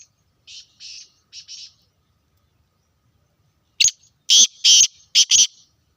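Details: Black francolin calling in Sindh, Pakistan: soft high notes at first, then a loud run of harsh, buzzy, grating notes in quick bursts near the end.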